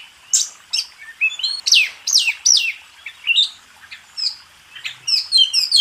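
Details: White-rumped shama (kacer) contest master song; loud steep downslurred whistles and short twittering phrases, varied and rapid.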